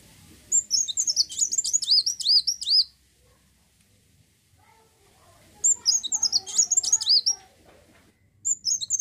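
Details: Olive-backed sunbird singing to prompt other birds to sing: high, fast twittering phrases of looping notes, about two seconds each, repeated after a pause, with low background rumble between.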